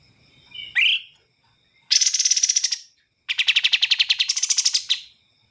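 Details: Bar-winged prinia song: a single upslurred whistle, then two rapid trills of sharply repeated notes, each lasting over a second, separated by a brief silence.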